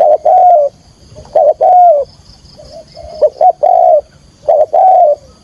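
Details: Spotted dove calling as a lure for trapping wild doves; loud mellow coos, each preceded by a brief pickup note, come in four phrases, with a soft low cooing murmur in between.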